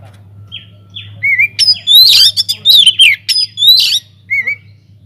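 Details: Aviary-kept Oriental magpie-robin singing hard, used as a lure bird: a few soft rising whistles build into loud, scratchy, squawking phrases mixed with clear whistles and sharp clicks, then fade to single notes.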